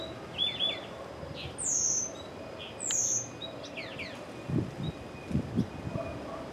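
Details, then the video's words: Two purple-throated euphonias fighting, thought to be females: a high, thin descending whistle repeated twice, plus short scattered chirps and notes, with low thumping and rustling noises later on. "Briga De Fim-Fim"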